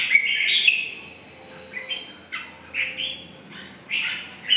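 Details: Red-whiskered bulbul delivering a few chirpy, slurred phrases with gaps of silence between them. A longer warbled burst opens the clip, followed by shorter rising notes about once a second.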